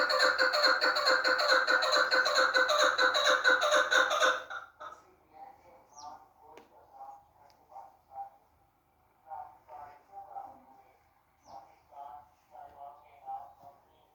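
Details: Female chukar partridge giving a loud, harsh rapid chatter for four seconds, then softer low clucking chuk notes in uneven bursts, about two per second.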